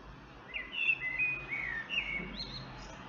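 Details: Common blackbird song: a run of clear fluted whistled phrases, some sliding down, others rising, with a low background hum.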